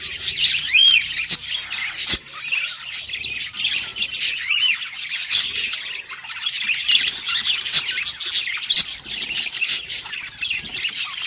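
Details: Happy budgerigars singing, a continuous warbling chatter of scratchy, buzzy notes mixed with short whistled squeaks, steady and busy throughout with several birds overlapping.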